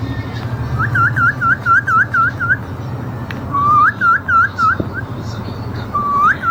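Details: Alexandrine parakeet making natural sounds: a fast run of bright whistled up-and-down chirps, about four per second, a short pause, then a second rising series and a final upswept whistle, with low background hum.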